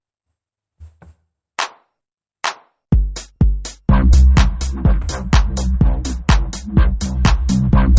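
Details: Electronic music: a few sparse opening hits, then a steady, fast drum-machine beat with deep bass and crisp high percussion, and no animal voice anywhere.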